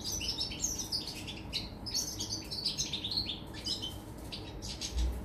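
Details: Goldfinch song, European, dated 24 August 2019, made of quick, liquid twitters and slurred high chirps run together, with a low background rumble and hum.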